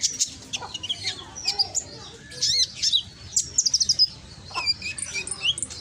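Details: Konin recorded in Gresik, East Java, as a loud lure song meant to make other konin answer: sharp high chirps and short whistled notes in rapid irregular bursts, with quieter pauses between louder runs.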